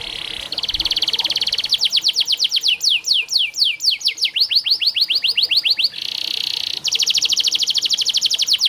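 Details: A singing canary on a training recording meant to get quiet canaries singing. Buzzy steady trills alternate with long, rapid runs of falling notes that gradually drop lower, and a dense trill returns at the end.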